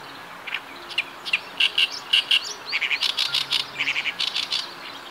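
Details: Oriental reed warbler in riverside vegetation in northern Harima, Hyogo, Japan, singing in its breeding season: a harsh, chattering run of grating chirps and squeaky notes, about two per second, rising in pace toward the end.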